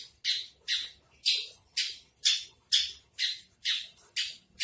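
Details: Javan bush lark for sale with trotol-style tutor song: harsh, squawking, broadband notes repeated about twice a second at a steady pace, quieter than a clean recording, with faint low background noise.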